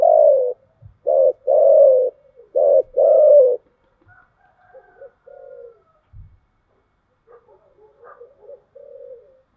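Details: Thổ-voiced chiêu gù cooing of a spotted dove: two loud throaty coo phrases at the start, each a short note and a longer slurred coo, then only faint, softer coos trailing off.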